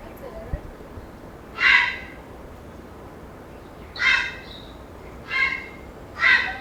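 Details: Grey heron, one of a group of four to five roosting in a conifer in an urban area, 25 May 2021, gives four harsh, hoarse squawks under half a second each, spaced irregularly every one to two seconds.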